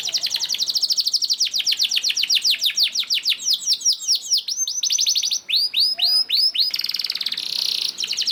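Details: Long 'ngerek' song of a canary, used as a lure so other canaries start singing. An extended rapid trill gradually slows into clear arched whistles, with a brief buzzy burst near the end.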